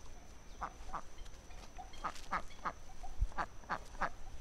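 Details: A Muscovy duck gives short, breathy, hoarse calls in loose pairs, roughly every third of a second in bursts, over low background rumble.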